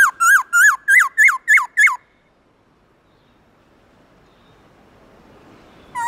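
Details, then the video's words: Black-throated laughingthrush singing 'forest voice' style in the morning: seven quick, ringing, up-flicked whistles at a steady beat over two seconds, then near silence before one more note begins at the end. "Khướu bạc má HÓT GIỌNG RỪNG buổi sáng"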